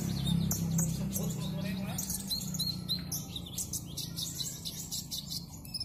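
A sunbird sings a rapid, high, scratchy twittering of quick chirps, several each second, over a steady low hum and faint voices.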